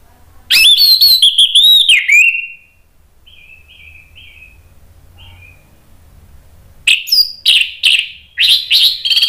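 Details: Agitated orange-headed thrush in a provoking lure song, delivered in rapid nratak then ngeplong style: a loud burst of rich, shifting high phrases, a pause with soft thin whistles, then sharp repeated notes every half second.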